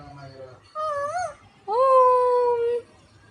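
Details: Pet parrot talking and making kissing sounds to its owner: two drawn-out, tonal, voice-like notes, the first wavering up and down, the second rising then holding steady for about a second, over a faint low background hum.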